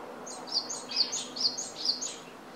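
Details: Japanese tit heard at home, camera-recorded; bright high double notes repeated in an even sequence of about five phrases over low ambient hum.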